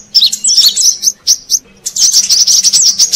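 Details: Lure call of the brown-throated sunbird for attracting wild birds: a shrill twittering phrase, then brief chirps, then a fast run of high squeaky, wavering notes, over a faint low hum.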